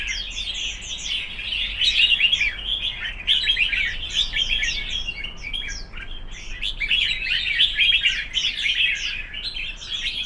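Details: Red-whiskered bulbuls in a singing contest pour out a long, busy chorus of sweet whistles and crisp chirps, phrases overlapping and swelling louder in places throughout.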